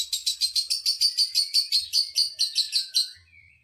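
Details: Lovebird calling to rile up other lovebirds: a rapid, steady string of about seventeen harsh shrill chirps over three seconds, evenly spaced, fading at the end into a thin whistle.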